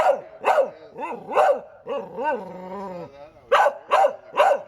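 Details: Bird copying a dog's barking in a bark-off with a dog: about a dozen hoarse, uneven barks, then a drawn-out whiny note that falls and fades, followed by three more barks.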